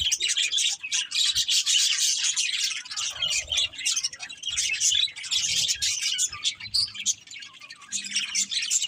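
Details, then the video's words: A flock of budgies keeps up a steady stream of rapid, high twittering and chirps, almost without a break, with softer gaps here and there. "Beautiful Budgies Chirping Sounds"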